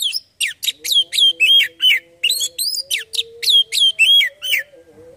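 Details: Oriental magpie-robin song, played as a lure to prompt kacer birds to sing. Rapid, varied, high whistled and chirping notes, roughly three per second, with upslurs and downslurs over a steady low humming tone.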